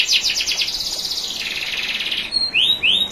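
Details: National champion canary training song with soft running water: a blurred, fast buzzy trill sliding slightly lower over two seconds, then two clear rising-then-falling whistled sweeps.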